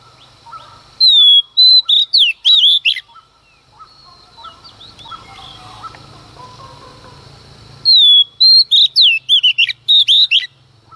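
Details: A female Oriental magpie-robin sings in the early morning to provoke males. Two energetic bouts of clear whistles and scratchy chips are separated by a softer stretch filled with distant, muffled twittering.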